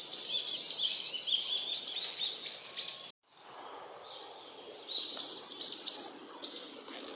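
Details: Brown-eared bulbuls moving busily through park woodland in late December 2017: rapid, overlapping squeaky chirps for three seconds, then an abrupt break followed by quieter scattered sharp notes over a low hiss of ambient noise.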